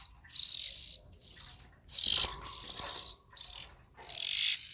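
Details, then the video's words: Oriental magpie-robin chicks give raspy, hissing calls in long, drawn-out bursts lasting up to a second. The bursts run almost back to back with brief pauses, and a faint low rustle lies beneath them. "Tiếng Chim Chích Chòe Than Non Kêu Hay Nhất"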